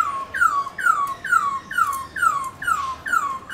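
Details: Black-throated laughingthrush, kept as a songbird, giving a steady series of clear downslurred whistles about twice per second, played to encourage other pet birds to sing.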